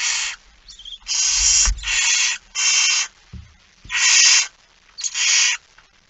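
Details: Barn owl young at a nest during feeding, recorded 13 September 2019 at 06:57 in Friesland, Netherlands: loud harsh hissing screeches, each about half a second to a second long, repeated irregularly, with faint low thumps beneath.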